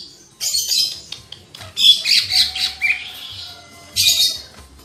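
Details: Lesser green leafbird song: bursts of harsh, scratchy high notes mixed with short whistled tones, then a quieter pause and a final harsh scratchy burst.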